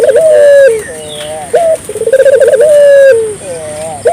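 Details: Barbary dove in full voice, played to get local doves calling too: a long level coo sinking at the close, a short sharp note, then a throbbing rolled trill merging into another sustained falling coo.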